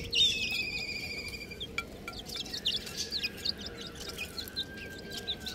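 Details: Young chicks peeping: a loud, insistent, slightly falling piping burst at the start, followed by scattered short high chirps and a long level whistle, over low hum.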